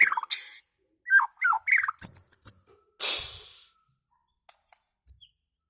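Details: Unusual song of a White-rumped shama from Medan, Indonesia: a few quick chirped and whistled phrases, then a series of high, sharp repeated notes, followed by a harsh, rasping burst and scattered faint clicks.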